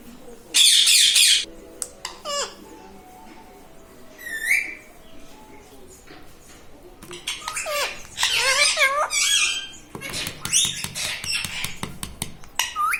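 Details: Household pet parrot talking, a harsh noisy squawk followed by bursts of speech-like rising and falling syllables, with a person talking in Gujarati and indoor clatter in between.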